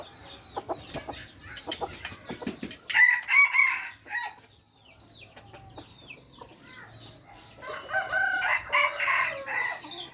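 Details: Red junglefowl of the F3 generation giving two ragged, broken crows, one midway and one toward the end, over sharp clicks, scattered birdsong and a faint low drone.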